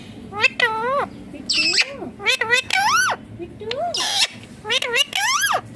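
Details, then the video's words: Indian ringneck parakeet, a green parrot said to be talking, gives a rapid series of arched, nasal, harmonic notes, rising then falling, with short gaps and some harsher bursts in between. "Indian Ringneck Green Parrot Natural Sounds || mithu baat Kat raha hain"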